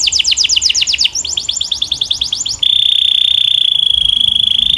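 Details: Belgian canary song: a fast series of high sweeping notes, then a second faster series, then a steady, piercing, rolling trill held on one pitch.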